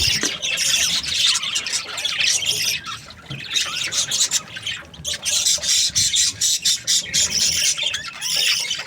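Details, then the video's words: Breeding pairs of budgerigars keep up cheerful chirping, a long stream of shrill squeaks and grating chatter from several birds, fading briefly then rising again in pulsing bursts. "Happy budgie chirping sounds | breeding pairs"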